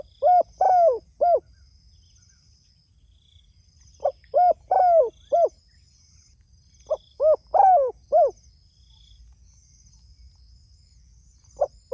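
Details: Spotted dove calling to its companions, repeating a phrase of four soft, hollow coos with a longer descending third note, three times at roughly four-second intervals over a quiet background.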